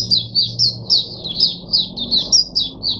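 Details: A caged oriental white-eye, kept to teach other white-eyes its song, recorded 22 January 2022, gives a steady series of high, downslurred chirping notes, about four per second.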